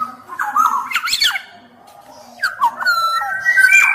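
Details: Black-naped oriole singing vigorously, recorded to tutor other birds and to prompt silent orioles: clear fluty whistled notes held level, a sudden harsh broadband squawk, then rising and stepped whistles in a small room.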